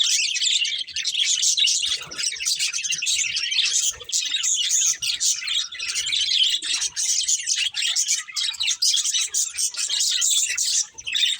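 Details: Budgerigars, a breeding pair, keep up continuous warbling chatter: rapid high chirps, clicks and buzzy squeaks run together over the whole stretch with only brief dips.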